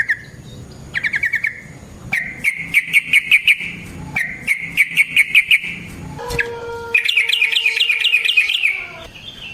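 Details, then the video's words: Yellow-vented bulbul in full, energetic song with long rolling phrases, used to prompt other bulbuls to call back: fast bubbling trills of varying length run together, ending in a longer rolling trill with a lower whistled tone beneath it. "Burung TRUCUKAN GACOR Ropel Panjang Cocok untuk PANCINGAN"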